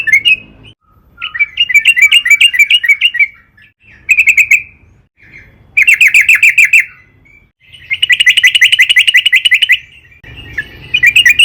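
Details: Sooty-headed bulbul singing long and persistently as a lure to prompt other bulbuls to sing. Repeated bursts of rapid chirps, some dense and buzzy, alternate with short pauses across the recording.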